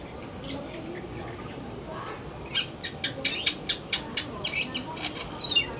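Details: Male greater green leafbird singing in the afternoon: after a quiet start, a quick run of sharp, high chirps and whistled notes begins halfway through, varied and closely spaced, over a soft hiss of background noise.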